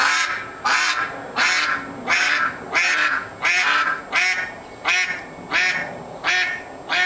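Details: A neighbourhood mallard that was once fed by a neighbour and now acts as a quacking alarm clock gives loud, harsh, nasal quacks, about nine in seven seconds at a steady pace, with nothing else heard.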